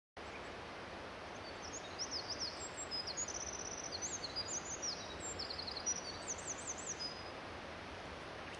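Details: A Eurasian wren singing on a riverbank at Babashima, Japan, in May 2009 pours out a long, high, rapid song of sharp trills and zigzagging warbles for about six seconds, over the steady rush of flowing water.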